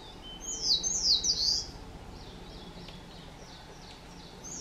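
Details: Blue-and-white flycatchers, a pair carrying caterpillars while their chicks leave the nest, Shuhogahara, Kobe, Japan, 30 May 2020; a loud burst of clear, high, falling whistles, then softer repeated notes fading in quiet woodland.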